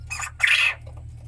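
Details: Two harsh, raspy squawks in quick succession from caged quail, the second longer and louder, over a steady low electrical hum.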